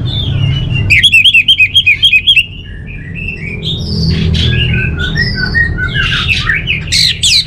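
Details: Orange-headed thrush, kept songbird in Singaraja, North Bali, opening with a fast string of about ten sharp chirping notes, then a jumble of varied whistles and rising trills, with a low hum behind.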